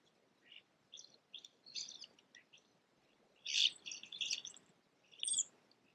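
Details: Blue jays feeding from a peanut wreath in a backyard; short scratchy, chirpy calls in irregular bursts, some harsh and stacked, with a denser cluster of overlapping notes past the midpoint.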